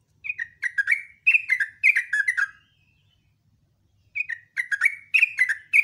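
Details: Sooty-headed bulbul singing a quick, chattering morning song: two runs of crisp descending whistled triplets, a silent gap of over a second, then the bubbly phrases resume, over a faint low hum.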